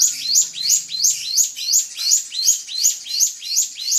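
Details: Drongo provoking a rival: clear, high, swooping chirp phrases, each with a brighter peak, spaced about a third of a second apart in an even run.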